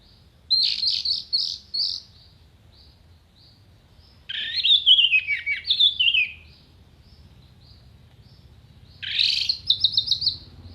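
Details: Orange-headed thrush with sharp contest-style tembakan phrases: three separate outbursts, the first a fast stuttering series of high whistled notes, the second a longer descending warble, the last a rapid trill of clipped repeated notes.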